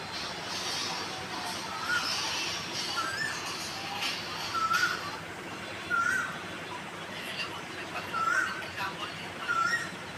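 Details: Asian koel in spring breeding season, perched on a distant tree branch calling to attract a mate, gives short rising whistled notes every second or two, faint under steady background noise and a voice, before flying off.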